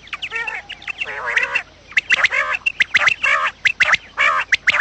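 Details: Quail sounds for luring birds during trapping: a dense run of nasal, buzzy call bursts, with one drawn-out call near the start followed by rapid clipped repeats.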